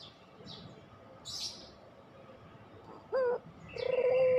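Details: Spotted dove of the puter pelung type, played as a lure to get reluctant doves singing: two low cooing notes near the end, one short and one longer, after faint high chirps from other birds.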